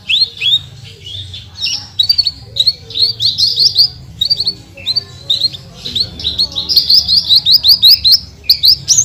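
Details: Branjangan song in tembakan style: a long stream of high twittering, slurred whistles and quick chips that grows denser and faster toward the end, with a low hum underneath.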